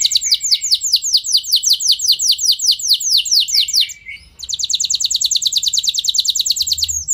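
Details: Canary song used to stir other canaries into long rolling song: fast trills of downward-sweeping high notes, a brief pause near four seconds, then a second even, rapid trill.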